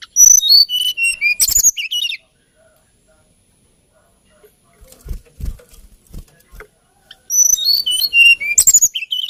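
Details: Hill blue flycatcher, locally tledekan gunung, delivering two bursts of high, rapid whistled and trilled phrases separated by a quiet gap with faint low knocking sounds.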